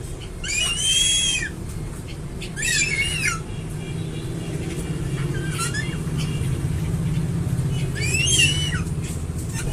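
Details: Crested eagle repeating shrill, wavering whistled calls, four bursts spread over ten seconds, the first ones strongest, with a low mechanical-sounding rumble throughout.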